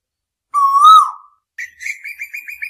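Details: Asian koel night-time lure recording: one long whistled note near one pitch, swelling then falling away, followed by a quick bubbling chatter of higher notes after a short pause.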